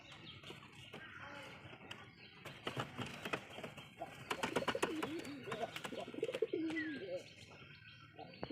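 A racing pigeon gives a low, throaty, wavering coo over sharp clicks and brief human speech.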